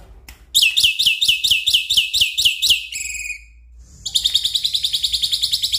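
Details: Black-winged myna song as a prompt for a stressed bird that will not sing. Loud harsh notes repeat rhythmically, a brief nasal buzz follows, then a fast, steady rattling chatter.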